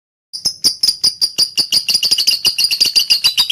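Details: Caged lovebird singing to provoke other lovebirds to sing: a rapid, regular series of sharp, high chattering notes, about two per second speeding up, with a steady bright tone running through them.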